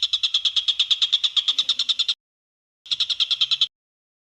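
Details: Greater green leafbird (cucak ijo) in full 'tembakan' bursts, a tutor recording for training other birds: two fast runs of sharp, evenly pulsed high notes, about nine per second, the first lasting two seconds, then a brief pause and a shorter run.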